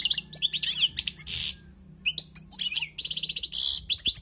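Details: Wild European goldfinch song, recorded for tutoring. Fast, liquid twitters and high chirps alternate with grating, buzzy trills, with short pauses between bursts. A faint low hum sits underneath.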